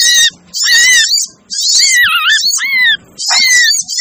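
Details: Little spiderhunter lure sound, locally sogon: loud grating calls with strong wavering whistled tones that dip and rise, in bursts of about a second separated by short silences.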